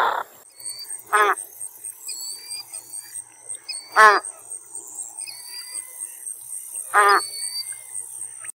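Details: American white ibis calling with three coarse, grunting honks spaced roughly three seconds apart, each short and buzzy, while small birds whistle thin sliding notes in the background.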